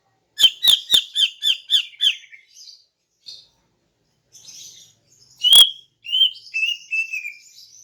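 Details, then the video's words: Female greater green leafbird calling in the morning to lure males: a quick run of six harsh, ringing chips, then scattered softer notes, one sharp loud chip and a few slurred falling whistles. "KICAUAN CUCAK IJO BETINA PAGI HARI 🔥 Alternatif untuk Pancing Jantan"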